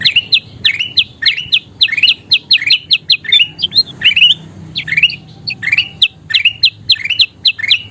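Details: Kutilang emas, a golden bulbul, in 'gacor' song for training songbirds: a rapid series of loud, rising, whistled phrases, each about a third of a second long, repeated steadily with a short break midway.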